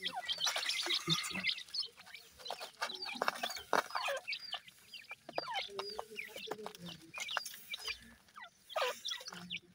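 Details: Grey francolin chicks, seven days old, calling while they feed: loud clustered high peeps at the start, then scattered slurred cheeps with clicks and a few pauses.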